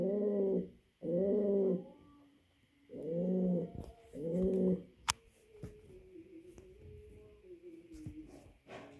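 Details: Male pouter pigeon calling to a female for mating: four deep, rich coos of under a second each, in two close pairs, followed by a thin steady tone and faint clicks.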